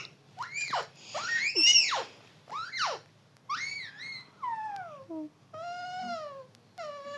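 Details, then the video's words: Pet parrot making talking-like sounds: a series of arched, rising-then-falling harmonic squawks, followed by falling and then flatter, drawn-out voiced tones. The phrases vary in shape and are separated by brief pauses indoors. "Beautiful parrot 🦜 talking about Papa"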